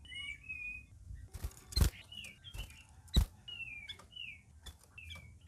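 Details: Group-housed captive red-whiskered bulbuls in their first week of care sing scattered whistled and slurred notes, broken by loud cage-like knocks and rattles, with low background rumble.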